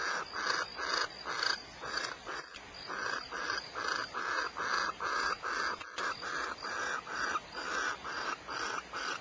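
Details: At Starr Ranch, California, barn owls produce a steady series of short scratchy hisses, a little over two per second, moderately faint against low background noise.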